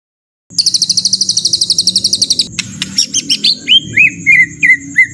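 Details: White-rumped shama rough-shot song with fill-ins, compiled to train contest birds: a two-second burst of rapid, buzzy, high rattling notes, then a clipped chatter followed by a string of separate upslurred whistles, each followed by a short pause.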